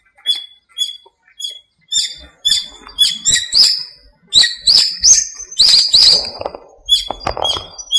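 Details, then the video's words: Birdsong in a small park at dawn during breeding season, during the rainy season: high chirps repeated about twice a second, building into dense overlapping whistled and buzzy phrases from several birds. "공원의 새소리"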